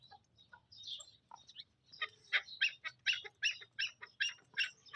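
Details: Black francolin calling in Pakistan: a series of short, harsh, chirping notes repeated about twice per second, preceded by scattered higher squeaky notes, over a low background hum.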